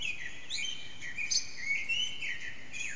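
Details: Common blackbird's early morning song around 4:40 am from an echoing backyard, bird hidden, phone recording; continuous rich whistled warbling with rising and falling phrases and brief high squeaky notes, faint background hiss.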